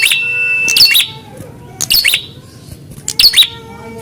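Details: Fighting-test prinia: three strong bursts of harsh, crackling chips, roughly every 1.2 seconds, opened by a sustained high whistled note. Faint low background hum.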